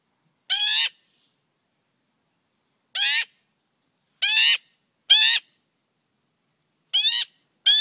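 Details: Loud, tame male magpie fledgling in the morning, still hanging around after feeding stopped. Six raspy, rising squawks sounding in irregular bursts, the last pair close together, over a quiet background.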